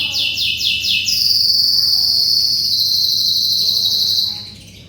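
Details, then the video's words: Canary singing vigorously, a song used to tutor white-rumped shamas: a rapid high pulsed trill, then a long sustained rolling note held for about three seconds before fading, over a steady low hum. "SUARA BURUNG KENARI GACOR"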